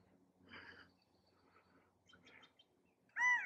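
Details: A male California quail calling for a mate gives one loud, abrupt, nasal call at the end, after a few faint, soft notes and quiet rustling.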